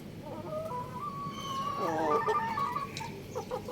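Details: Young rooster eating rice, giving soft whistled chirps, level and gently sliding mid-pitched notes in a loose series, with a brief rougher harmonic call midway and faint clicks in the background.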